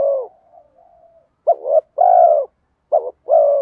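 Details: Spotted dove, bronze-voiced ('giọng đồng') lure coo with 'mắt me' accompaniment for drawing in wild doves; a long coo, soft faint hooting, then a short stuttered note and a long low falling coo, given twice.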